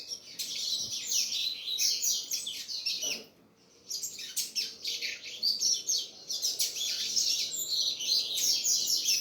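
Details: Double-collared seedeater singing a fast, unbroken run of high twittering and warbled phrases with sharp chirps, pausing for about half a second near the middle before resuming.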